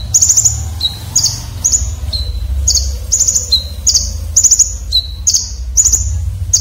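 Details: A red-breasted konin gives its harsh, sharp fill-in song for tutoring competition birds. Rapid, high, stuttering phrases come in quick succession, with occasional lower flat whistles and a soft low rumble underneath.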